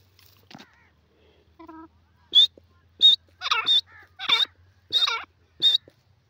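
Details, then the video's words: Grey francolin calls: a high, piercing note followed by lower, throaty, bending notes, grouped into phrases repeated about every half second after a few quiet opening sounds. "jungli teetar beautiful awaz,grey pheasant bird awaaz"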